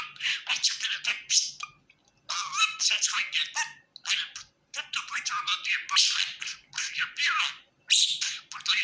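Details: A contented pet budgie chatters steadily, mixing gritty squeaks, chirps and rapid warbled notes in dense, lively phrases.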